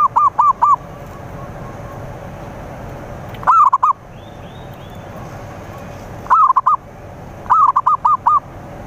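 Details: Zebra dove song played to attract rival birds: four separate short phrases of three or four quick, rounded cooing notes, spaced by pauses of one to three seconds, over soft hiss.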